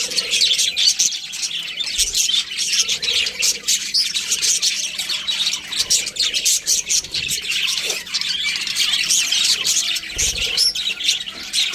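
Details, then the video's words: A flock of budgerigars chatters steadily, a busy wash of shrill chirps, clicks and squawky notes, with a few brief low thumps. "Cute Budgies Chirping Sounds"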